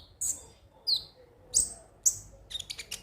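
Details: Brief konin song used to trigger singing: four sharp, very high chirps about half a second apart, one sliding downward, then a fast flurry of tiny ticking notes.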